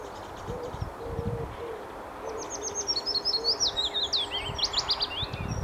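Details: A willow warbler sings in spring 2016 at Motorcycle Wood, Wanstead Flats, London, UK, a sweet, high phrase of quick notes sliding steadily downward over about three seconds, over a low droning note.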